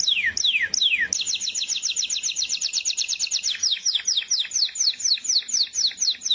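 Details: Canary in full song, opening with three loud downslurred whistles, then a long rapid rattle of paired high notes, easing into repeated descending chirps at a steady brisk pace.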